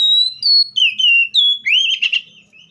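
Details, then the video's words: Seychelles magpie-robin song: a string of clear whistled notes, some level and some sliding down, in quick separate phrases, ending in a rich warbled flourish. "COPSYCHUS SECHELLARUM BIRDS SOUNDS LIKE IN NATURE LOUD CLEAR SOUNDS"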